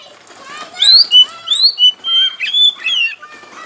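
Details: Oriental magpie-robin lure song for provoking quiet rivals: a rapid run of rising whistled notes and short warbles over a faint background hiss.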